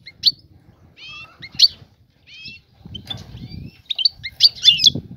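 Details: Mating call of a female European goldfinch seeking a male; thin high chirps and short slurred whistles in scattered groups, ending in a denser twitter, with low knocking noise in the background.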